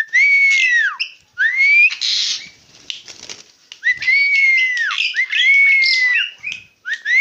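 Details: Singing tame Asian pied starling, known locally as jalak suren: a steady run of loud whistled phrases, each sliding up, sustained then falling, mixed with rasping chatter and scratchy bursts between phrases, repeated roughly every second.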